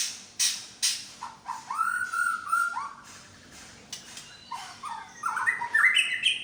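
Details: White-rumped shama, Medan type, displaying imitated song: sharp clicks at the start, then a long level whistle, and later a series of rising, warbling phrases.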